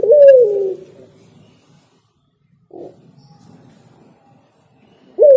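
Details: Spotted dove singing: a loud, slurred coo that rises and then sinks, a soft single coo after a pause, then the next phrase starting.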